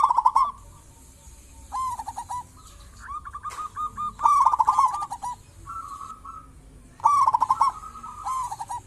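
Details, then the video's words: Local zebra dove singing actively, used as a lure to get other zebra doves calling: soft cooing phrases of quick beaded notes that rise and fall, repeated in bursts with quiet gaps between. "Perkutut lokal gacor cocok buat pancingan burung perkutut"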